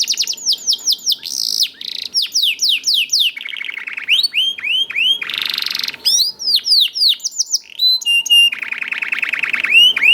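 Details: Continuous, vigorous song of a young canary for prompting other canaries, a fast medley of swooping whistles, chattering trills, buzzy rolls and steady pure notes, with a faint low hum underneath.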